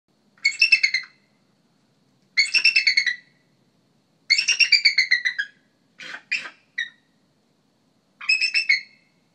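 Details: Bald eagle in Iowa, heard close by, giving high, thin, chattering screeches in four rapid staccato bursts about two seconds apart, with a couple of brief clicks between.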